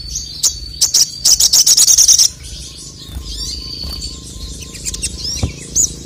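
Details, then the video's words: Male crested jay song meant to rouse rivals: a few sharp chips, then a fast, even rattle of high notes lasting over a second, followed by quieter thin whistles and scattered chirps over a steady low background hum. "SOGON MANAPUN NGMAUK GACOR langsung emosi dengar masteran suara burung sogon jantan ini"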